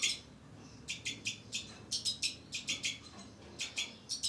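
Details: Captive breeding pair of two-barred crossbills with young birds: a fast series of short, high chirps repeated roughly every fifth of a second, with faint background hiss.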